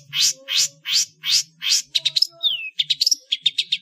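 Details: Long-tailed shrike in the ngeplong full isian singing style, used as a master recording for training cage birds: five harsh buzzy notes about 2.5 per second, then rapid sharp chirps and a clear descending whistle.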